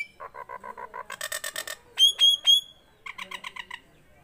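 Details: Tame Nias hill myna calling: a fast train of nasal pulsed notes, then rich buzzy pulses, three clear piercing whistles, and a final burst of short pulsed chirps.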